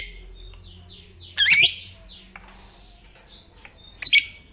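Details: Lovebird of the fighter type, known for long ngekek trills that get other lovebirds singing, here gives two harsh, scratchy high squawks about three seconds apart over faint chattering in the background.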